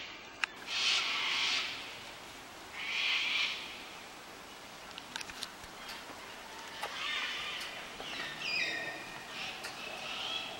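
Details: A flock of cockatoos flying in the Blue Mountains, Australia: loud, harsh, broadband screeches near one and three seconds, then scattered rasping calls and a few clicks later, over a faint background hiss.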